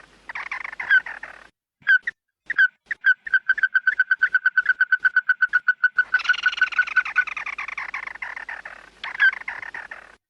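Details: Red-eyed bird calling its flock, a recording used as a lure: loud harsh chattering bursts, then a fast even train of short nasal notes, about four per second, before a denser scratchy outburst and a final chattering phrase.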